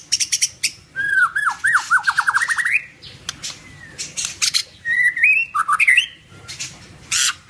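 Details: White-rumped shama singing in fighting style: a run of rapid looping whistled notes dipping and rising, then sharp clicks and chips, followed by rising whistled phrases and a final burst of harsh notes.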